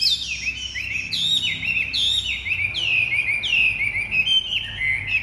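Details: Chinese hwamei in captivity, a large bird with white wings, singing loud repeated phrases; each begins with a high downward sweep and settles into a level whistled trill, recurring roughly every second.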